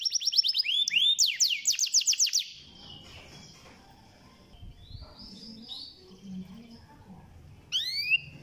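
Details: Canary song played to rouse a lazy canary: about two seconds of fast rolling chirps, then quiet background noise, and a brief rising whistle at the end.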